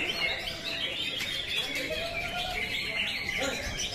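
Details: Greater green leafbird pouring out varied warbled and twittered phrases, a 'tembakan kapas tembak' song, with quick high chirps over faint background noise.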